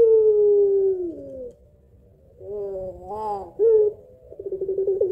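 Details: Barbary dove of the pelung type, a prolific caller with a long voice giving a two-note kuwok, played as a lure: a long low steady coo falling at the end, a brief rising wavering note, then a rapid rolling pulsed coo.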